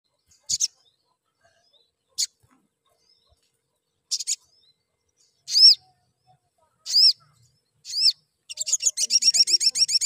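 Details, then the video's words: A crimson sunbird gives sharp, high chirps: first sparse clicks, then arched rising notes, ending in a rapid run of bright twittering, otherwise quiet. The calls are meant to make other sunbirds sing more. "CUITAN SOGON YANG BIKIN TAMBAH GACOR NGLEPER"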